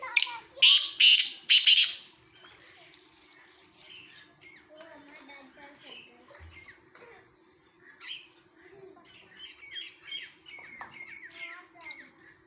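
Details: Black francolin at Khushab calling three loud, raspy, grating bursts in the first two seconds, followed by a long stretch of softer twittering and whistled notes from other birds over a steady low hum.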